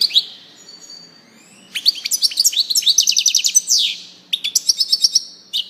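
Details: European goldfinch singing: a few thin high notes open, then from about two seconds a rapid, jangling run of twittering trills and tinkling chirps. A brief pause follows before a further burst of quick twittering, with no other sounds.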